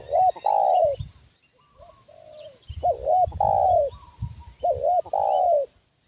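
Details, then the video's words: Spotted dove used as a lure for wild doves, repeating its cooing phrase three times in six seconds. Each is a hiccuping double note then a sustained, gently falling coo, with quieter coos from other doves between phrases. "Suara Pikat Burung Tekukur"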